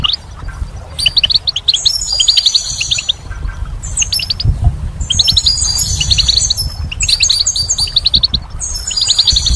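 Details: Goldfinch in spring singing high, sparkling twittered phrases with buzzy trills, in about four bursts separated by brief pauses, over a faint low hum.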